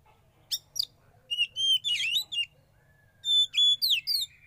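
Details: Kept young oriental magpie-robin, originally wild, sings during sauna therapy: flat held whistles alternate with sharp ticks and a dense buzzy chatter, then a pair of long steady whistled notes and a falling slur.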